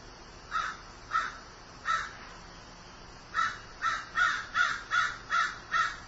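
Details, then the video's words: Grieving crow giving harsh, even caws: three spaced about half a second apart, a short pause, then seven more in quick succession, against a faint steady background hiss. "Grieving Crow"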